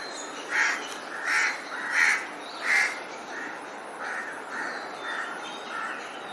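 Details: Harsh cawing from a crow getting ready to build its nest. Four strong caws come roughly a second apart, followed by four fainter, quicker ones.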